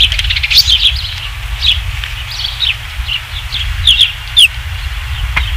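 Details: Osprey nest at Dunrovin Ranch, evening of 27 July 2016, third fish: scattered high whistled chirps and a few sharp downslurred notes, separated by quieter gaps, with a low background rumble.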